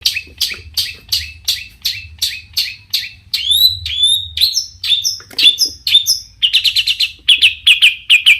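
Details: Long-tailed shrike singing a varied song meant to provoke other shrikes into answering: a run of short, sharp downslurred notes about every half second, then higher whistled slurs and a fast buzzy trill at the end.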